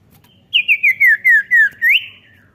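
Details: Common iora call for prompting an untrained young bird to sing: a series of about seven clear slurred whistles, each sliding downward and stepping lower, closing with one rising note.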